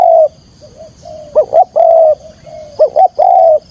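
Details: Decoy spotted dove calling to draw wild birds into a trap: a drawn-out coo, a soft low murmur, then a quick double note leading into a long steady coo, heard twice.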